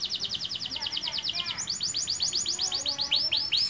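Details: Young canary, voice newly broken, delivering rapid high rising-falling notes, shifting midway from one quick series into slower, louder sweeping syllables, with faint background noise.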